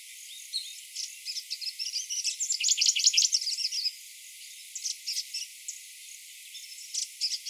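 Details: Grey-breasted prinia singing in the morning: bursts of high, thin, rapid notes, densest and loudest in a run near the middle, then quieter scattered bursts with pauses between.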